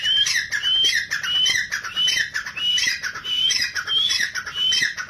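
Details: Grey francolin, known locally as teetar, calling loudly in a steady series of harsh, high, squawking phrases repeated about every half second to second, each with a sharp whistled peak, with little background noise.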